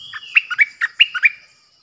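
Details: Bulbul used as a decoy bird, recorded 8 May 2021: a loud, rapid phrase of six bubbly notes alternating low and high, lasting just over one second. A faint high whistle sounds at the start.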